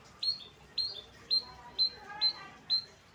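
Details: Six crisp, high whistled chirps from a long-tailed shrike in the late afternoon, evenly spaced about half a second apart, each with a quick downward flick, with soft lower murmurs in the background.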